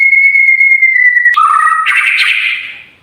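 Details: White-rumped shama tutor song for birds that will not sing: a long steady pure whistle, then an abrupt switch to a dense, buzzy, warbling burst that fades away.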